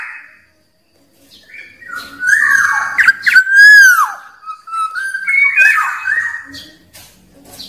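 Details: Black-naped oriole in the wild, with song played to call rivals: a string of rich, liquid whistles, one loud swooping note in the middle, and undulating phrases that follow with little pause.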